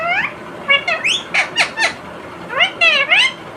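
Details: Indian ringneck parrot talks non-stop while eating a tomato, apparently saying 'Mummy, give a glass of water.' A rapid run of about ten harmonic, bending syllables mixes upward sweeps with sharp, bright notes. Nothing else intrudes.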